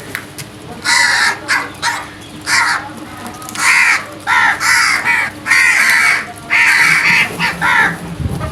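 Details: Loud early-morning crow calls: a rapid series of harsh, raspy caws, about one per second, some overlapping as if from more than one bird, strong and coarse against a quiet background hum.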